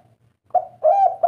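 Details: Spotted dove, called derkuku or tekukur, of the three-kuk 'kuk 3' type believed to bring fortune; after a quiet start, a short coo is followed by a longer rolling coo and the start of a third.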